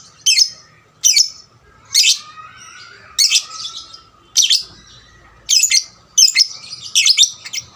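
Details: Young lovebird singing as a lure to make other lovebirds sing more; loud shrill chirps roughly once a second, becoming quicker and doubled toward the end, in a quiet setting.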